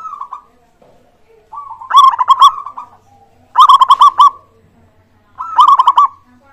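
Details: Local zebra dove song meant to prompt other birds to start singing: loud, clean phrases of rapid pulsed coos, each rolling run ending in a short trill, repeated about every two seconds.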